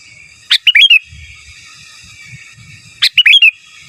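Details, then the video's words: Lively sooty-headed bulbul, giras and menggaruda style for masteran: two crisp phrases about two and a half seconds apart, a sharp click then three rising-falling whistled notes, with faint low murmur between. "Suara Burung Kutilang Gacor Giras dan Menggaruda Cocok Untuk Masteran"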